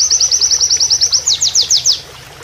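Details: Oriental white-eye singing in a canary-like style as a training master: a brisk series of about a dozen high, clipped repeated notes, then several slower downward-sweeping notes, over faint running water.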